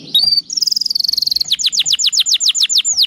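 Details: Canary singing a filler song: a brief high whistle, a fast buzzy trill of tiny high notes, then a steady series of about a dozen loud, sharply descending slurred notes, roughly four per second.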